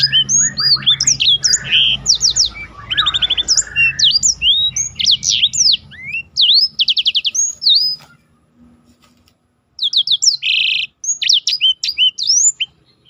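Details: Black-throated canary, a competition-training recording, delivering a dense, fast song of high sweeping whistles, buzzy trills and rapid rattles, pausing briefly before resuming with more trilled phrases.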